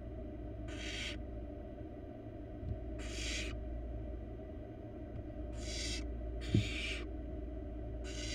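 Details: Young wild barn owl in a nest box gives broad, airy screeching hisses, five bursts at uneven intervals across eight seconds, against a steady low drone and a single brief thump.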